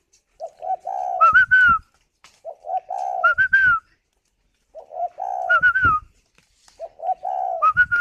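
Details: Caged spotted dove incubating eggs at a Hanoi bird farm, still cooing: four phrases about every two seconds, each low soft coos rising into clipped higher whistled notes ending in a falling slur.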